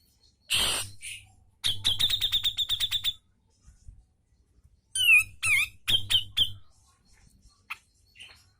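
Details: Grey-cheeked bulbul (cucak jenggot) on a training recording for cage birds: a harsh burst, then a rapid run of sharp ticking notes, then several loud slurred whistles and a few scattered chips.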